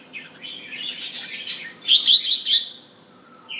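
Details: Bulbul kept at home, a caged display bird, singing clear, tone-by-tone phrases: a sweeping warble, then a quick run of five bright chirps near the end, with a short whistled note closing the clip.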